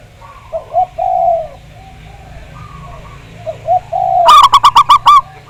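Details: Zebra dove of local Javanese stock, recorded as a lure to prompt singing. Soft, mellow coos with small rising and falling inflections lead into a sudden loud burst of rapid, evenly pulsed notes near the end.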